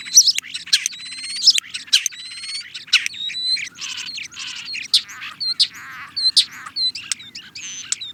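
A European starling sings a fast, rambling medley of clicks, buzzy rattles and short rising and falling whistles, with no pause in the flow.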